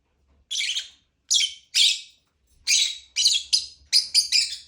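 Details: Lovebird giving harsh, high chirps, single at first, then doubled and tripled in quicker bursts; faint low hum underneath.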